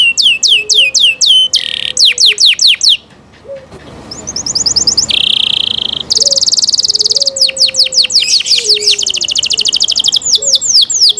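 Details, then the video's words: Canary song in varied tours: rapid descending whistled notes, dense buzzy rolls and fast rattling trills, with a brief pause near the middle; a faint low whistled tone runs underneath in places. "canary Nice sound"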